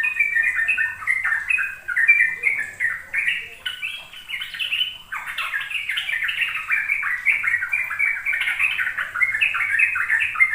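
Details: Sooty-headed bulbul song used to coax young birds into learning to sing in a rapid rolling style: a long, continuous run of bubbling, chattering phrases that rise and fall quickly, with a faint steady high hiss behind.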